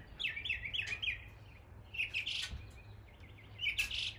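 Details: Mimicking mockingbird in East Tennessee repeating a bouncy, slurred chirp four times in quick succession, then shifting to brighter, scratchier notes before another short set of chirps.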